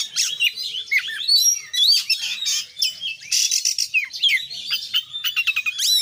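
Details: Oriental magpie-robin in energetic song of the kacer gacor konslet full isian style: dense, rapid run of varied whistled and chattering phrases high in pitch, sharp rising and falling slurs, brief buzzy bursts, almost no pauses.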